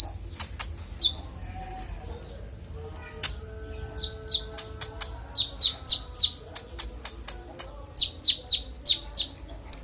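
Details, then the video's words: Konin singing in a clear voice for songbird training: scattered high clicks and chirps early on, then a rising sequence of quick, high, downslurred notes delivered in close succession, ending in a thin whistled note. "Konin bongkar isian suara jernih"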